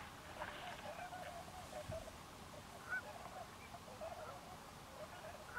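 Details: A flock of tundra swans at Forsythe NWR, New Jersey, gives overlapping high, hooting and yelping calls, several each second, over a steady low rumble of wind or distant noise.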